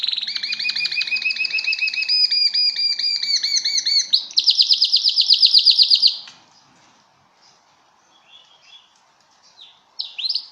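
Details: Canary singing for mating: repeated rolling phrases of clear whistled notes with bright harmonics, then a fast buzzy trill for about two seconds, followed by near silence with a few soft chirps and a closing high note.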